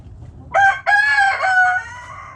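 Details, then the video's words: Backyard rooster crowing: a brief sharp opening note, a short break, then a long loud harmonic-rich cry held steady before tailing off, with faint low background hum throughout. "Backyard Chickens Relaxing Video Sounds Noises Hens Clucking Roosters Crowing!"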